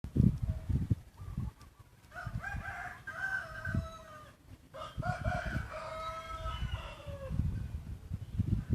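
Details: Yellow-line hybrid junglefowl crowing: two long drawn-out crows in a row, the first a stepped series of notes that slides down at the end, the second similar and fading out, over low rumbling background noise and scattered thumps.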